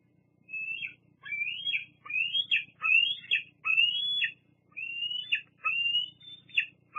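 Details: Squees from a young bald eagle on its Fraser Point nest, 8 August 2022: seven to eight drawn-out, piercing whistles that climb and break off, spaced under a second apart, with faint background hum.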